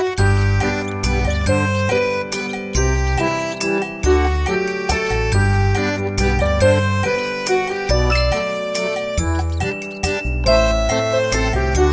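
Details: Bright, jingly background music plays throughout with a steady bass beat, and no animal calls are heard.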